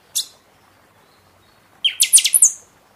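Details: Buffy-fronted seedeater (pixoxó) singing in season, song played to stimulate caged birds after moult: a single sharp high note, then a quick burst of five or six bright, piercing high whistled notes ending in a thin trill.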